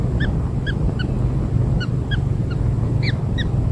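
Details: Freshly hatched kingfisher young fed black insects make thin, clipped peeps in loose series of about nine, some softer, against a steady deep hum.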